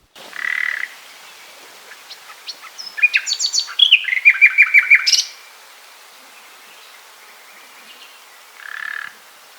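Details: Common nightingale in Poland, described as the king of night concerts, sings a varied phrase: a low whistled note, scattered clicks, then a rapid run of loud repeated chooks and a sharp rising flourish.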